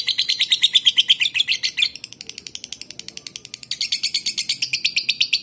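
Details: Lovebird from Palembang, kept as a lure to set other lovebirds singing. Strong, rapid high chirps are followed by a subdued, scratchy chatter, then loud chirping resumes near the end.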